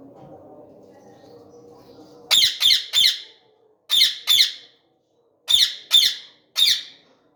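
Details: Indian ringneck parakeet with red beak and long tail, described as flying: harsh, grating screeches in tight groups of two or three, with pauses between groups, after a low steady hum at the start.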